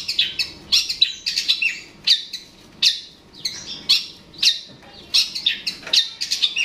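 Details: Long-tailed shrike, called cendet or pentet, heard while provoking a rival: rapid clusters of sharp chirps and scratchy notes in bursts separated by brief pauses.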